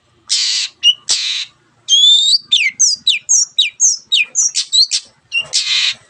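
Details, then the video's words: Long-tailed shrike (cendet) in full, vigorous song meant to get quiet birds singing: rough harsh bursts open and close a fast run of varied, sharply sweeping whistled notes, each slurring up or down, about three per second. "CENDET GACOR MENJADIKAN YANG DIAM IKUT GACOR the sound of shrike birds"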